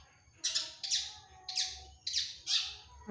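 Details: Long-tailed shrike (cendet) in active song: five loud, grating, downslurred rasps at roughly half-second intervals, with a thin steady high whine behind them.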